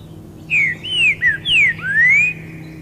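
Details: A male Green-winged Saltator perched on a branch in the wild sings to attract females: five clear, slurred whistles, some falling, the last rising, delivered quickly over about two seconds, with a faint low hum behind.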